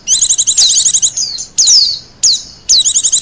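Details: Wild white-eye, used to lure birds and as master song: a rapid, high warbling run, then three separate bright downslurred whistled notes, each followed by a brief pause.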